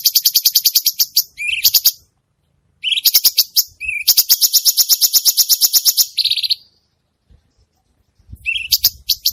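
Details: Cucak cungkok bulbul in full song (gacor), delivering rapid strings of shrill, high chips in irregular bursts with short rising slurs and a buzzy note, separated by gaps of silence.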